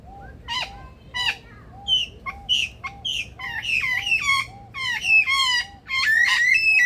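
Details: Adelaide Zoo male superb lyrebird performing impersonations in its rainforest aviary: harsh squawks and chirps mixed with soft low arched notes, building into dense, loud, rasping harmonic calls toward the end.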